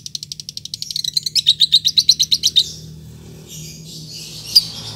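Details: Bait call to draw a rival lovebird into answering: a quickening run of high, sharp ticking chips that grows louder, then breaks off into a faint hiss with one last loud chip.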